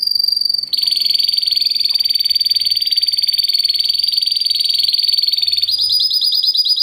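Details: Timbrado Español canary, a 2013 bird kept by its owner, singing classic-style timbrado: fast, strong and metallic. A dense, rapid rattling trill holds steady for about five seconds, then shifts into a brighter, quicker trill near the end.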